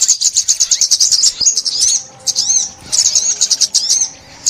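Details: 2021 sunbird song: rapid series of high, sharp chirps, then looping slurred whistles and another quick chirping run, with short pauses between phrases.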